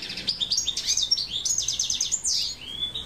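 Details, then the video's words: Continuous hooded siskin song: rapid high twitters, repeated trilled notes and short falling whistles strung together without pause. "PINTASSILGO (DE GRAVATA)"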